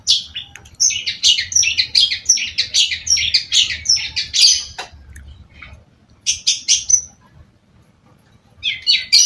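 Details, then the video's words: Long-tailed shrike pouring out a fast, chattering medley of scratchy twitters and thin whistles for several seconds, falling silent, then adding brief bursts of high chirps. "cendet gacor"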